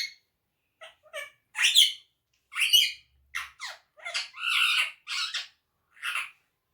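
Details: Talking pet parrot producing harsh, raspy squawks and clipped syllables in irregular bursts, some drawn out and noisy, in a quiet indoor room.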